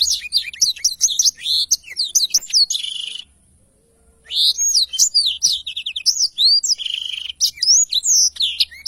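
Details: Blackthroat in energetic long rolling song, described as ngerol panjang and used as a tutor recording for training birds: rapid, varied high whistled and swept notes pouring out for three seconds, a one-second silence, then another long fast run.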